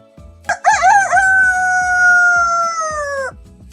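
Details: Rooster crowing: a short broken opening climbs into one long sustained, even note held for about two and a half seconds, ending with a slight downward slide, with a soft musical beat underneath.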